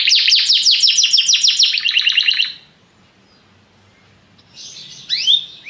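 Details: Belgian canary delivering a quick rolling trill of descending sweeps for about two and a half seconds, then near silence before a brief high upswept note and faint chirps.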